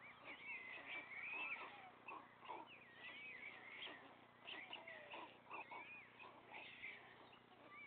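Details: Three young white storks begging as their father brings food to the nest; repeated high, curling mews and whistly whines, overlapping, with short lower pulsed notes.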